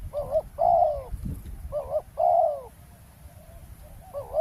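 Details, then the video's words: Roadside ground trapping, decoy and wild spotted doves calling: wavering trilled lead-in notes each followed by a longer, falling hollow coo, a soft thump between phrases, light background rumble. "เสียงนกเขาใหญ่ ต่อ นกเขาใหญ่"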